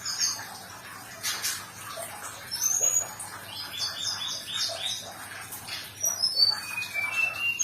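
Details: Sumatran leafbird singing a recording played as therapy for stressed birds. It gives high, thin whistled and chirping notes, some sharp downslurred squeaks, over a soft background hiss.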